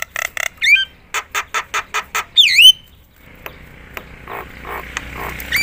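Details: Loud Javan myna song meant to stir other mynas: a series of short harsh squawks, a whistled upslurred note, then a bright swooping whistle, followed by quieter scratchy notes.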